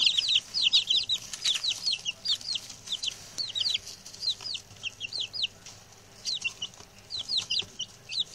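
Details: Six newly arrived male chicks, settling in and very chatty: a busy stream of high, thin, downward-slurred peeps, often in quick pairs and runs, with short pauses between bursts.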